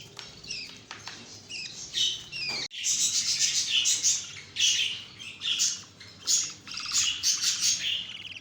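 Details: Budgerigars from an exhibition breeding setup, recorded December 2020 with eggs hatched and chicks learning to self-feed, chatter with busy, scratchy chirps and squawks, bursts rising and falling every second or so.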